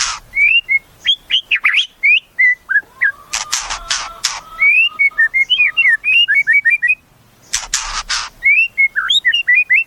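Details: White-rumped shama, a caged murai kept for song, producing varied melodious whistled phrases with twists and slides, interrupted by several loud sharp clicks or knocks.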